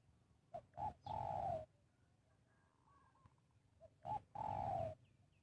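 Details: Decoy spotted dove cooing to attract wild birds for trapping: two phrases of brief notes leading into a long, slightly falling coo, accompanied by loud rustling bursts and a quiet gap between them.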